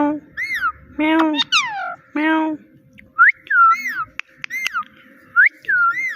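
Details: Small pet talking parrot repeating "Mitthu" and a mimicked "meow": low, buzzy voiced syllables with rich harmonics alternate with clear arched whistles that rise then fall, in an indoor room.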